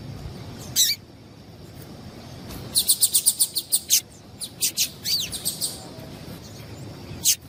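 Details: Female yellow-bellied seedeater calling to excite males: a lone high chirp, then a quick run of sharp, high, evenly spaced notes, a few scattered chirps, and a final chirp near the end, over faint low background noise.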